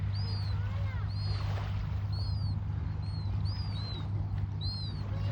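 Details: Seagulls in Australia give thin, high, down-slurred squealing calls roughly once a second over a steady low engine-like hum.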